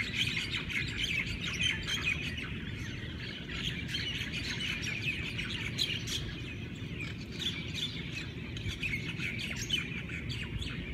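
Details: Dense morning chorus of Hawaiian birds, many voices at once giving rapid high chirps, trills and tweets that blend into a continuous bright twitter above a low background hum.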